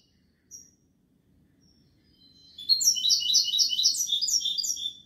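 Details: After one brief high note and a quiet gap, a European goldfinch launches into a bright, fast twittering run of repeated liquid notes that carries to the end.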